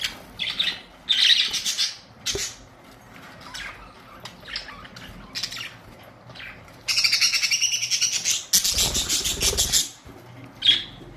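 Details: Several budgerigars, colourful parrots, recorded April 19, 2023, squawking and chirping in scratchy high bursts, with a longer dense warbling stretch near the end and a brief flurry of wingbeats.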